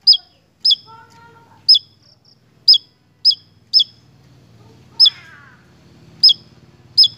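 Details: Javan tesia singing actively in a lure recording: loud, high, clipped notes with falling ends, irregularly spaced, over a low rumbling hum, with a brief softer chatter in the middle.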